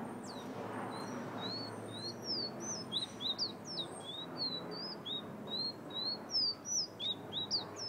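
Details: Guyana's fire-red bird in sustained whistling: a long, lively string of high, sliding notes, mixed rising and falling, delivered roughly three a second for eight seconds.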